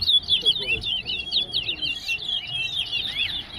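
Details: Wessequibo towa towa singing in a whistling competition at Tuschen bird ground: a fast, continuous run of high, sharp, twisting whistled notes and trills that rise and fall, with a faint low murmur beneath.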